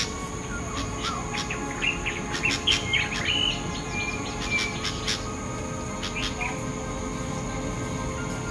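A bulbul gives a few quick, bright chirping notes in a short burst, over a steady high hum and low background rumble.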